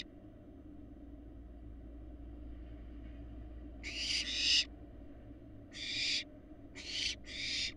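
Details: Large barn owl fledglings in a Florida nest box giving rasping, noisy screech-hisses in short bursts, a paired burst then three more after a quiet start, over a constant low background hum.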